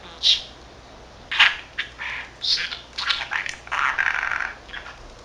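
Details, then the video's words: Rasping, speech-like budgerigar chatter from a 13-month-old pet male who mimics Korean and Japanese greetings; a few isolated notes open, then a denser run of scratchy syllables. "Talking Parrot 말하는 사랑앵무(잉꼬) しゃべるセキセイインコ"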